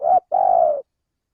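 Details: Male tekukur, the spotted dove, giving a lure coo: a brief low hoot, a short break, then one drawn-out, even, soft coo that fades out, with nothing else heard.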